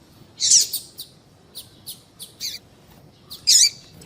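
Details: Female double-collared seedeater call, used to make males sing: short, high, sharp chips scattered irregularly, with two louder, harsher squeaky bursts near the start and end, in a quiet setting.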